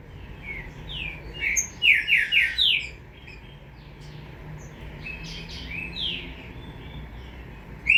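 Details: Young Green-winged saltator giving a quick burst of five or six loud slurred whistled notes, each dropping in pitch, followed by softer, scattered whistles and a steady faint background hiss.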